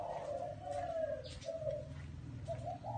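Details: Spotted dove cooing in a small garden: mellow low phrases in quick succession, a pause, then shorter coos, over a steady low background hum and a faint high chirp.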